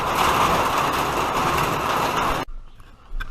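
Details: Broad engine-like rumble and hiss for over two seconds, then an abrupt cut to near quiet with faint clicks; no animal voice.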